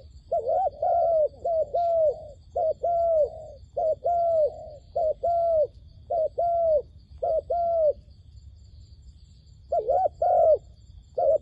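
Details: Dove kept as a trapping decoy, luring wild doves with a run of paired hollow coos, a short note followed by a longer arched one. The pairs repeat steadily, then pause briefly before resuming.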